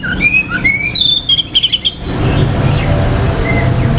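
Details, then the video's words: Oriental magpie-robin singing to arouse other males' aggression and breeding urge: rising whistles followed by a rapid run of five repeated bright notes, then near quiet with only faint notes over a low rumble. "KICAUAN KACER || CEPAT MERANGSANG KACER LAIN TERDONGKRAK EMOSI DAN BIRAHINYA."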